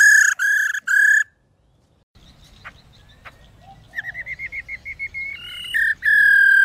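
A female laughingthrush gives loud, clear whistled notes, then a fast run of rising chirps about four a second, ending in more strong whistles.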